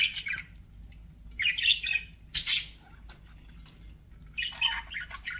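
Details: Budgies giving a few separate bursts of chirping, short squeaky warbles and a sharp squawk, with quiet gaps between them.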